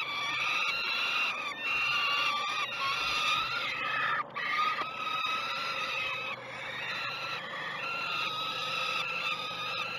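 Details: Peregrine falcon chicks at the Great Spirit Bluff nest cam begging during one of the first two feeds, 12 June 2018: continuous harsh, harmonic wailing screams, held notes broken by brief pauses, over a steady background hum.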